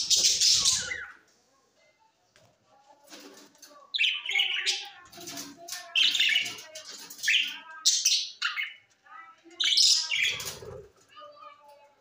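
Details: Parrot in Larkana, Sindh, recorded September 13, 2023: a loud squawk opens, then after a pause a run of scratchy, chattering calls follows at irregular intervals, with faint low background sounds.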